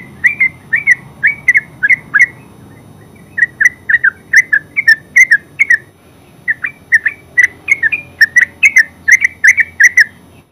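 A yellow-vented bulbul sings bright, bubbly chirps, about three a second, in runs broken by short pauses.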